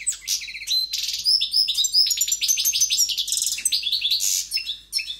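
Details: Powerful song of a caged European goldfinch: a continuous, rapid stream of bright twitters, liquid chirps and short buzzy rattles, varied and unbroken for the whole stretch.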